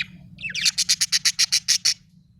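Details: Budgerigar giving a rapid series of about ten short, evenly spaced chirps, harsh and bright, after a brief scratchy rising note; low steady hum underneath.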